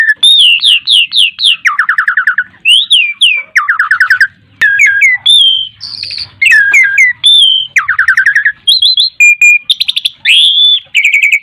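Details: Asian pied starling over ten years old, kept as a cage bird and singing gacor mompa: loud repeated whistled notes, rasping buzzy phrases and sharp high clicks in a dense, continuous medley.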